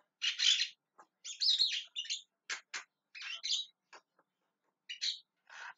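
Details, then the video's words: Javan myna calling with an uneven mix of broad, grating squawks and thin clicking ticks, irregularly spaced with short gaps, in quiet surroundings. "JALAK KEBO TERIAK TERIAK MEMANGGIL"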